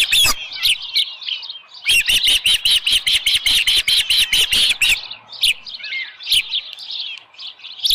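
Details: Osprey calling at the Dunrovin Ranch nest, 24 July 2018, early morning, where a headless fish was brought. A fast run of loud, sharp chirps, about two per second, sits between softer chirping.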